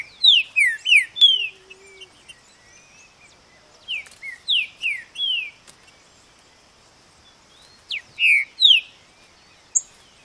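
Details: Green-winged saltator (trinca-ferro) singing: three bursts of rich whistled notes, each a quick run of four or five descending slurred whistles, separated by pauses of about two seconds, with a faint soft low note near the start.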